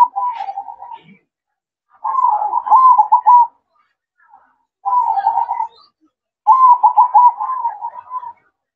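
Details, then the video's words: Melodious manggung song by a zebra dove at night, with four phrases of soft coos that break into fast rippling trills, each followed by a brief quiet spell. "Suara Merdu Perkutut Manggung Di Malam Hari"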